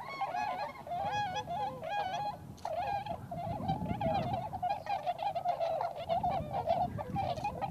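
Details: Wild tundra swans, including the American subspecies, at a wintering site in Inzai, Chiba, Japan: a flock giving overlapping nasal, bugling honks with rich harmonics, continuous chatter throughout.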